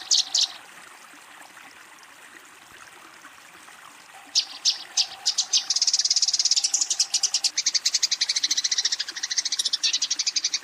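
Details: Eurasian tree sparrow calling a rival during a fight. A brief burst of chirps opens, then near quiet with a faint hum, before fast, loud chattering chirps resume and continue to the close.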